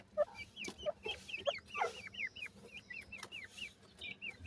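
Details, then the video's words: Grey francolin chicks, known in India as gora teetar, giving sweet peeping calls: a steady run of short, high, hooked chirps, several overlapping, with a few lower soft clucks and faint clicks. "grey pheasants chicks sweet awaz,indian gora teetar chicks"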